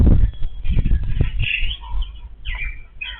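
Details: A family of Yellow-billed babblers feeding together; after loud low thuds at the start, harsh chattering and squeaky notes come in short bursts, strongest midway and near the end.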